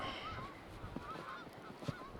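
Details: Geese flying around and honking near the Yellowstone River levee in Livingston, Montana, on a cold, windy day during the first snowstorm of the season. Faint, short nasal honks repeat over steady wind roar, with scattered low thumps.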